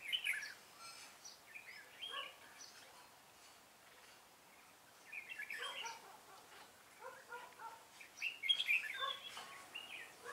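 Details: A decoy red-whiskered bulbul sings during a trapping session on 25 April 2017 to attract wild birds. Busy, liquid warbling phrases come in clusters, with overlapping chirps and a pause in the middle.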